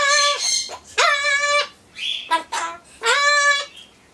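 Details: Indoor pet Solomons corella talking while it waits for pumpkin, possibly its tuneless attempt at a song: long drawn-out humanlike vowels with rich harmonics, a brief higher whistled note, then another sustained word.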